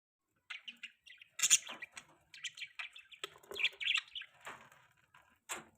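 A budgerigar chatters in quick, scratchy chirps and warbles, high and busy, with short bursts and brief pauses in a quiet room.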